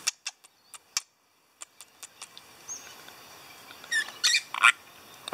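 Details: Pet lorikeets give harsh, grating squawks in a cluster of bursts near the end, after a run of sharp, scattered clicks and chirps.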